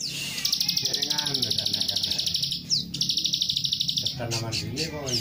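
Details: Plain prinia lure call: two long bursts of high, buzzy, rapid-fire ticking notes, several per second, with a man's voice over parts of it. Said to make any plain prinia answer within five seconds.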